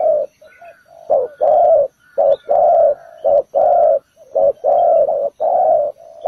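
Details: Ground-trap decoy spotted dove calling to attract birds: soft introductory murmurs, then paired deep coos, short then long, repeated at an even pace in a quiet setting.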